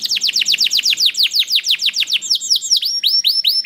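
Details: Canary singing, played to set other canaries singing: a steady series of sharp, high, downward-slurred notes repeated several times a second, then a few upturned, hooked whistles.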